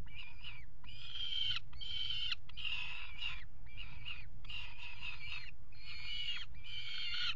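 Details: Peregrine falcons copulating on a nest-box ledge, water tower, Axel, Netherlands, February 2018; rapid series of harsh scratchy wails, about nine pulses under a second each, over a steady low rumble.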